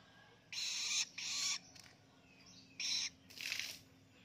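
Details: Juvenile long-tailed shrike, kept and now feeding itself, practising ngelolo. Four scratchy, hissing bursts come in two pairs, the last one softer, over a faint low hum.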